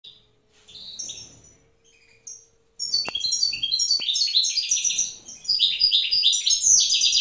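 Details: Wild European goldfinch pair in the evening while the female incubates eggs; scattered thin high notes, then from three seconds a fast, dense twittering of buzzy and liquid high notes running on without pause.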